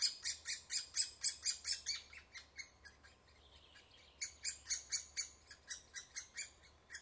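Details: Woodpecker at its nest: harsh, high, buzzy calls repeated about twice a second, a dense run followed by a short pause and then a second run, with a faint steady hum underneath.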